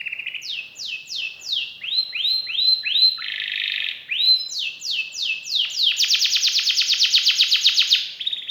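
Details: Canary in full song with elaborate variations. Paired downslurred whistles and rising curved notes are followed by a short buzzy passage, then a fast, loud, sustained trill near the end.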